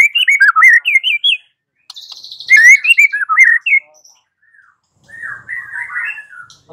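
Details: Lure song of a white-rumped shama, meant to prompt a bird to reply: rich looping whistled phrases rising and falling, broken by a high buzzy trill and a pause, then softer warbling.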